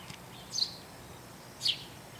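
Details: A single Eurasian tree sparrow calling repeatedly from a tree branch on a cold winter morning: two short, bright chirps about a second apart, high-pitched and slightly descending, over a soft outdoor hiss.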